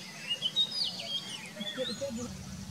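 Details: Oriental magpie-robin singing: a run of clear, high whistled notes, some sliding and some flat, loosely spaced over low background hum and rumble.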